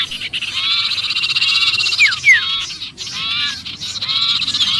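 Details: Sirpu in distress, sounding trapped, used to draw other birds in: softer arched chatter with two clear falling whistles near the middle and a short break before more calls, over a steady hiss.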